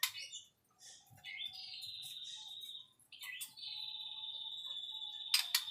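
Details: White-rumped shama song featuring long steady high whistles held for over a second each, separated by short chattering notes and ending with sharp loud clicks.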